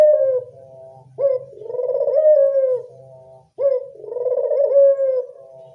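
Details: Local Barbary dove calls played as a dove-attracting lure: rolling, throaty coos repeated about every two and a half seconds, each swelling into a sustained note and trailing off softly.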